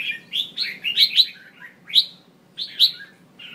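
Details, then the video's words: Female red-whiskered bulbul call meant to stir males into singing: a few quick, warbling rising-and-falling notes in separate bursts with short pauses, over a soft low hum. "Tiếng chào mào mái mới nhất kích trống cực nhạy/kích bổi căng lửa hót sung/kích là hót ngay"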